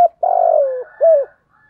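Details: Spotted dove challenge cooing, a call to fight: a long buzzy, wavering coo sliding downward, then one shorter rounded coo, in near silence.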